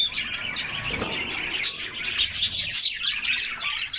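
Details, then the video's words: Several canaries enjoying a summer bath, singing and splashing: steady high twittering chorus with rapid chirps and trills, one short bright whistled note near the end, and soft splashing underneath. "Summer Serenade: Canaries Singing and Splashing in a Refreshing Bath"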